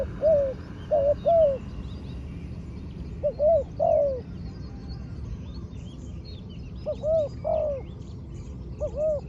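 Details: Spotted dove, a trained ground-decoy bird, utters scattered groups of two or three hoarse coos separated by long gaps, while other small birds chirp faintly in the background.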